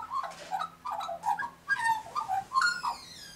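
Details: An Australian magpie sings near Galahs, warbling a quick run of fluty, gurgling notes that rise and fall, with a few harsher notes near the end over a low steady hum.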